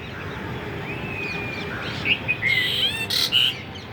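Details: Bulbul singing a brief run of clear whistled notes, some sliding and some clipped, over faint steady background noise.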